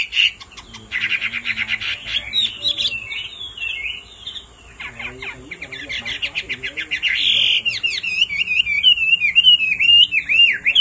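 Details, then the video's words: Male hwamei singing after a female's repeated calls: harsh buzzy notes, then a long fast rattle of sharp repeated notes, followed by high, clear, wavering whistled phrases that grow louder. "Họa mi mái xùy liên hồi kích chim trống căng lửa hót ngay"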